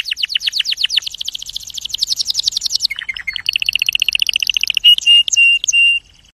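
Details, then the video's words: A Belgian canary sings a fast, high run of rolling trills that shift into buzzy rattles, ending in a few long, clear whistled notes. "голос канарейка звук канарейка"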